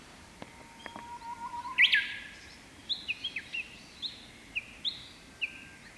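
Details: A Japanese bush warbler sings one May morning from the tip of a pampas grass plume: a long, low held whistle breaking into a quick, loud, high flourish, followed by short sharp chips about twice a second.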